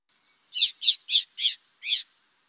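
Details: Philadelphia Vireo, an uncommon migrant through DuPage County, gives its call note: five harsh, buzzy notes in a quick chattering series, the last after a short pause; its call often has three rapid chi notes.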